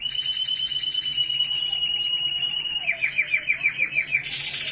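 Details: Canary from Australia holding one very fast, even trill on a high steady pitch, which then turns into slower pulsed notes and ends in a burst of higher buzzy sound.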